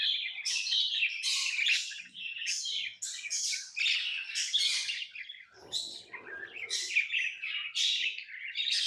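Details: Hand-tamed pet lovebirds give rapid, shrill, rasping chirps in short pulses about twice a second, a brief rustle midway, otherwise continuous high chatter.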